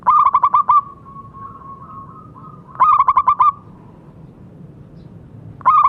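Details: Local zebra dove in strong song, played to get silent doves singing again: rhythmic bursts of about six quick cooing pulses, then a long level tone, repeating roughly every two and a half seconds.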